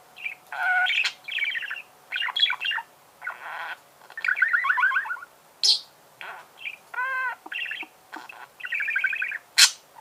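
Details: Budgerigar song made of varied chirps, buzzy trills and quick rising-falling notes in rapid succession, with a few sharp high squeaks and a thin steady background tone.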